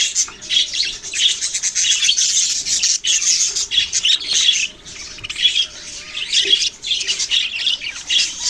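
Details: Several budgerigars, kept birds, recorded on November 6, 2023, chirp in a dense, continuous chatter of high, rapid twittering notes that overlap throughout, with brief dips between bursts.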